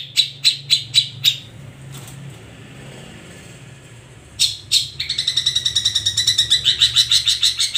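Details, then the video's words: Ombyokan-style song of a long-tailed shrike, locally cendet: a few harsh separated notes, a quiet gap with low hum, then two loud notes leading into a fast, sustained buzzy chatter. "Kicau Cendet Ombyok'an"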